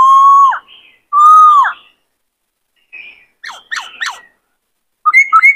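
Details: Caged male White-cheeked laughingthrush in breeding condition sings two loud, long, level whistles ending in a downward flick, then softer notes, quick sharp downslurred chips, and a brisk twittering phrase.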